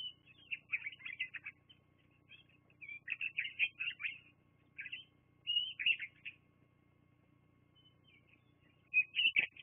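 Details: Bald eagles calling at their Fraser Point nest on a live nature cam, 24 September 2022: several bouts of high, squealing, stuttered chirps, each lasting about a second, separated by short quiet gaps.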